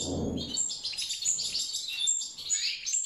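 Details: Mutant European goldfinches breeding naturally: a busy stream of high, thin twittering and tinkling notes, overlapping and continuous, with a brief low rumble at the very start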